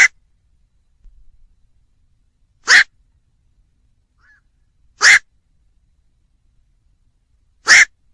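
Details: Repeated coarse squawks of a black-crowned night heron, one roughly every two and a half seconds, with a brief faint thin note in one gap and a soft rustle early on.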